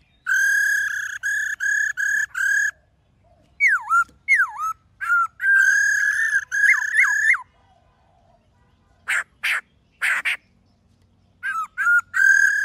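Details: Wild-style, many-voiced song of a black-throated laughingthrush for training caged birds: bursts of loud level whistles, then swooping down-slurred notes and further whistle runs, broken by silent gaps and a few sharp clicks.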